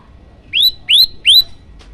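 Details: Yellow-bellied prinia song for training other birds and provoking listeners: three separate bright upslurred chirps, each rising and then levelling off high, evenly spaced, with a quiet background.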